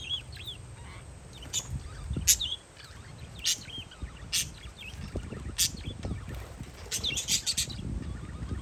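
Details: Parakeets outdoors on a windy day give sharp, high chirps and short squeaky notes in scattered bursts, over a steady low rumble of wind.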